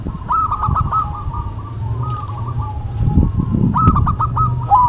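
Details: Zebra doves, a local bird and a cemani bird, singing in duet: stuttered, ringing cooing phrases in quick pulses, repeated across the clip over a steady low rumbling background hum.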